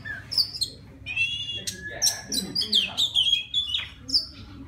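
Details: Wild white-rumped shama calling a female with song: high thin whistles, a few quick trills and descending slurred notes, varied phrases separated by short gaps, a low background hum present.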